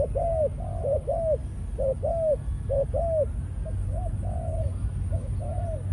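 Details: Caged Malaysian-strain male spotted dove acting as a decoy, calling in breeding mode. Paired, hollow coo notes repeat in bursts, some longer and sliding downward, against persistent low background noise.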